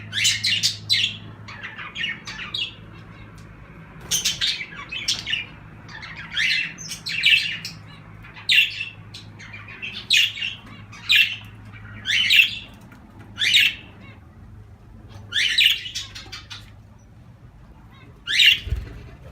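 Pet cockatiels, budgies, a canary and zebra finches give bright, repeated chirps and tweets.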